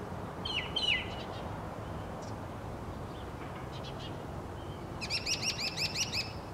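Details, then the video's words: Northern mockingbird song: a few scattered chirped and slurred notes, then a fast run of six bright, high chirps repeated in even rhythm. "Mockingbird singing"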